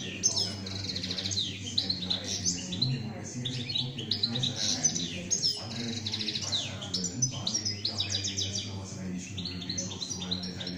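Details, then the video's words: Kept European goldfinch singing a fast, tinkling stream of twittering notes and buzzy trills, including "şak şak" notes, over a steady low hum. "Saka kuşu ötüm videosu, Şak şak vuran saka"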